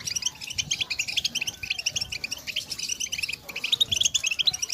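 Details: Female European goldfinches calling together to excite males to sing: many overlapping high, quick twittering chirps forming a steady, busy chorus with slight dips in intensity.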